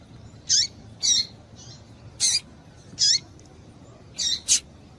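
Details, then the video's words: Female double-collared seedeater piping to excite males for singing tournaments: six or seven shrill, high chips, some with a brief downward tail, at uneven intervals in near silence. "Piado de Fêmea de Papa capim pra Esquenta papa capim"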